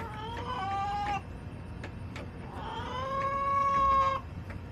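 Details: Backyard hens clucking and crowing, two long harmonic calls each held about a second, the second rising and swelling louder before cutting off, low background hum.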